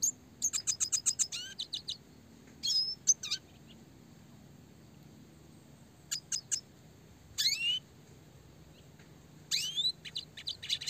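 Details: Red siskin, classic type, singing actively with a clear voice in a fast, dense rolling style used for songbird training: bursts of rapid, high, dry ticking notes and short upward-sweeping whistles, separated by pauses of several seconds.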